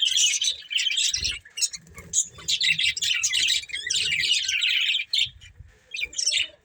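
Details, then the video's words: Budgerigars, a breeding pair, chirping in busy bursts of high, scratchy warbling chatter that break off briefly around one and five seconds, with faint low knocks beneath. "Beautiful Budgies Chirping Sounds"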